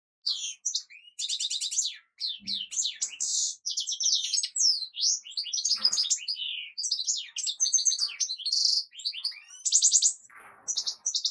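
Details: European goldfinch singing a fast, tumbling run of bright twitters, buzzy trills and sharp high chirps, almost unbroken with only brief gaps.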